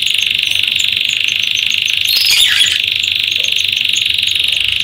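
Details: Canaries busy building and finishing their nest for egg laying; a loud, continuous rolled trill holds steady at one high pitch for the whole stretch, with a short rougher burst near the middle.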